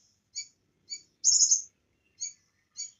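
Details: Short burst of bar-winged prinia song with cililin insertions: evenly spaced high chip notes around a single loud, buzzy trill.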